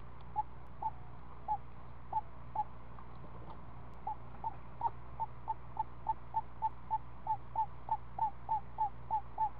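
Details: At a screech owl nest, a week-old owlet is fed snake by its parent. Quiet hooked notes begin scattered, then speed into a regular run of about three per second.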